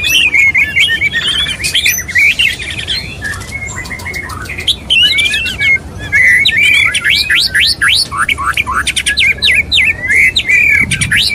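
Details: Male white-rumped shama courting a female, pouring out a dense, fast song of sharp upslurred whistles and chips, many notes per second, with brief scratchy interludes.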